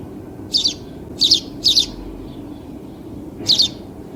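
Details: House sparrow giving four short, bright chirps, each a quick doubled note, spaced irregularly with a long pause before the last, over a steady low background hum.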